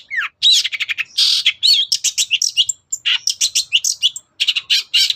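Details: Long-tailed shrike (cendet) singing in the morning, used to provoke other birds into answering: a fast, loud run of harsh, buzzy and chattering notes with short whistled slurs, packed densely with brief pauses.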